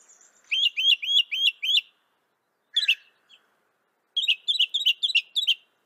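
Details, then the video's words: Northern mockingbird singing, North America: a string of five repeated chirps, one harsh note, then another fast series of repeated chirps. "Veja o canto do pássaro, ave zombeteira"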